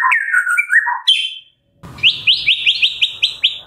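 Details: Medan white-rumped shama in full song, played as a morning lure for captive shamas: mellow slurred whistles, then after a brief pause a fast series of about nine bright rising notes.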